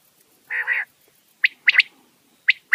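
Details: A buzzy nasal double note comes first, then a quail's sharp high calls: a single note followed by a quick pair, heard twice.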